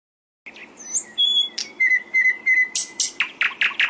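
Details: Flycatcher, kept as a songbird and singing energetically, gives a lively burst: thin high whistles and a steady whistled note, then a run of sharp, repeated chirps that get louder toward the end.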